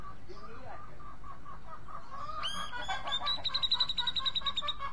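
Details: Grey-cheeked bulbul calling: a few rising whistled notes, then a quick, high, metallic trill of rapid repeated notes, with low clucking chatter and hiss throughout.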